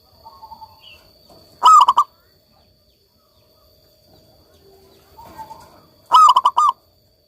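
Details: Zebra dove, local type, singing persistently as therapy for doves that have gone quiet. Soft introductory notes precede each of two loud staccato coo phrases of four quick pulses, spaced about four and a half seconds apart.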